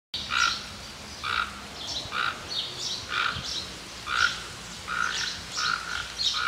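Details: A toco toucan in Tupi Paulista, São Paulo, Brazil, sings harsh, croaking grunts, repeated roughly once a second in a steady, rasping series, with a faint outdoor background.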